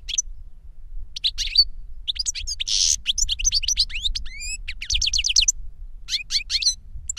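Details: An older goldfinch sings to teach a younger goldfinch: a rapid, tinkling run of high chirps, rising whistles and a brief buzzy note, delivered almost continuously with short gaps, over faint low hum.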